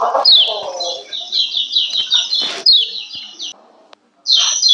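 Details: Female lemon-bellied white-eye calling to stir males: run of quick high downslurred chirps, preceded by lower chatter, broken by a clap-like noise and a brief silence before the chirps resume.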